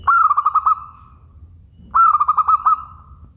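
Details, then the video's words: Local zebra dove song, clear and bright: two phrases, each a fluttering run of about six soft cooing notes near one pitch, ending in a drawn-out trailing coo, with a low hum underneath. "Suara Bening Burung Perkutut LOKAL"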